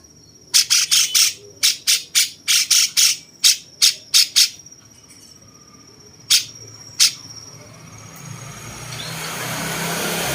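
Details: Cucak cungkok bulbul with a jenggot-like style, used as master material for training champion songbirds; a rapid series of about fifteen short, harsh, rasping notes, then two isolated notes, followed by rising hiss.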